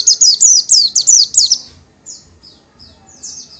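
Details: Oriental white-eye, known locally as Pleci or Kacamata, a small yellowish-green songbird: a rapid run of high, sharply downslurred whistled notes, about five per second for 1.5 seconds, then softer scattered high chips over a faint low hum.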